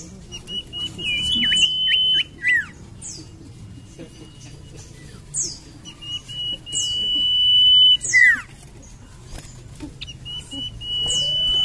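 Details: Common iora, lure song: repeated long level whistles each closing with a sharp falling slur, interspersed with high thin descending sweeps and short chips, phrases recurring every few seconds.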